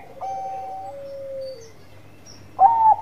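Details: Bangkok-type zebra dove in full song: a long, level coo gliding slightly downward, a pause, then a short, bright, higher coo near the end.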